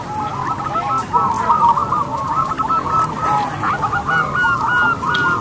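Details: Zebra dove of a crossbred line, singing loudly as a lure bird: repeated wavering coos in a steady low band, broken into bursts of short notes, with soft faint sounds in the background.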